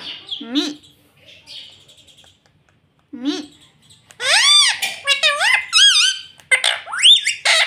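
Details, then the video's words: Pet ringneck parrot taught to say "mummy" and "mitthu": two soft harmonic calls early, then a rapid run of loud, bending, speech-like syllables with wavering pitch in the second half, indoors. "मम्मी बोलने वाला तोता - मिट्ठू बोलने वाला तोता"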